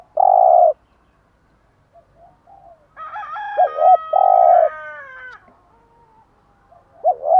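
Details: A spotted dove gives bai ban morning cooing, meant to stimulate caged doves. It makes long buzzy coos, one preceded by a short wavering note. A rooster crows loudly in the background partway through.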